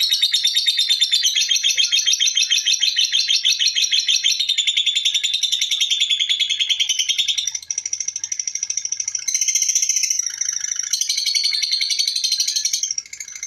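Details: A lovebird's ngekek chatter goes on without pause: fast, shrill, repeated notes at about three per second, sliding gradually lower, then shifting to a thinner, higher series in the second half. Background is quiet.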